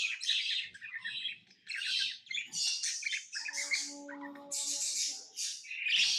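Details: Tame pet lovebirds chirping: dense bursts of high, scratchy chirps and squawks run almost without pause, with a few brief steady tones partway through.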